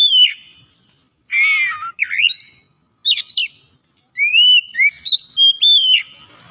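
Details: Oriental magpie-robin (kacer) from Indonesia being coaxed back into singing: a scratchy harsh phrase, buzzy twisting notes, then a string of rich, rising and falling whistles in rapid succession.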